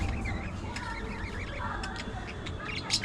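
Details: Budgerigar chatter: a mix of short squiggly warbled notes and sharp high chirps, fairly steady over a low background rumble.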